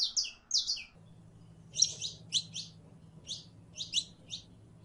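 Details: A female canary in heat calling a male for mating utters clusters of two or three sharp, high, buzzy chirps, separated by short pauses, over a steady low hum.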